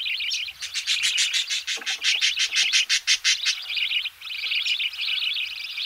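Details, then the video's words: Budgerigar chicks calling while being fed in the nest, recorded close: rapid pulsed, buzzy chirps repeated about twice a second, rising into a harsh stuttering burst, with wavering high chatter before and after. "Budgerigar. CU Calls From Chicks Being Fed In Nest, Knocking Noise In B/G."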